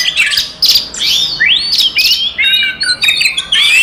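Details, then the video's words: Oriental magpie-robin in energetic fighting song meant to provoke rival magpie-robins: a bright sequence of sweeping whistled slurs, some rising and some falling, broken by brief harsh chips and short gaps between phrases. "SUARA BURUNG kacer gacor TARUNG konslet paling AMPUH buat PANCINGAN KACER EMOSI"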